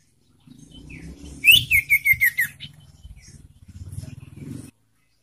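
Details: A young sirtu gives a quick run of about six bright, slightly falling chirps in under a second, over a low background hum; used as a lure call to get other sirtu singing.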